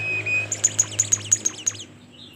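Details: Bimoli bird singing vigorously: a thin steady whistle, then a quick run of about eight sharp, very high chirps spaced evenly, fading out at the end over a low background hum.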